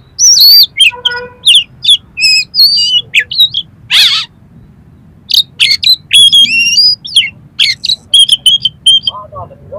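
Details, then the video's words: Oriental magpie-robin song rich in harsh, varied 'material', used to rouse another magpie-robin: rapid bursts of loud whistles, sharp chips, buzzy rasps and rattles in quick, irregular phrases with short pauses. "SUARA KACER FULL ISIAN MATERI KASAR-KASAR !! COCOK UNTUK MENAIKAN EMOSI KACER"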